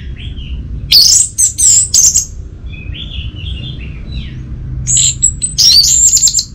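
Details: Varied orange-headed thrush song with scratchy high bursts and softer warbled notes. A pause divides it from a second run of thin, high whistles and chatter.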